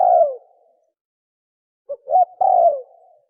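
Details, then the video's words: A spotted dove gives 'thổ còi'-style coos: the tail of a falling coo, a pause, then a short note, a quick rising note and a longer descending coo, low and hollow, with clean silence between. "Tiếng chim cu gáy thổ còi tốc độ gáy cực nhanh cực chất kích bổi lên nhanh"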